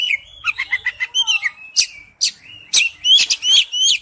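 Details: Oriental magpie-robin in wild-type song; quick clusters of whistled and buzzy notes at varied pitches, ending in clear rising whistles.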